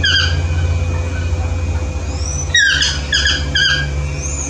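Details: Yellow-throated toucan (Ramphastos ambiguus) in the morning: a phrase of yelping, downslurred notes rising out of loud low rumbling traffic-like noise, with a thin upslurred whistle near the end.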